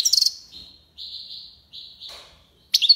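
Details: Male European goldfinch singing in the "tiwawati" and "lipassade" song styles. Opens with a bright twitter, then three long, even buzzy notes, each fading out, and closes on another sharp twittering burst.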